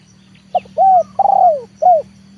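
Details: Trained leopard spotted dove calling to entice wild birds down to the yard. A single phrase of four coos, the third long, stuttering at its start and falling in pitch, over a low steady hum.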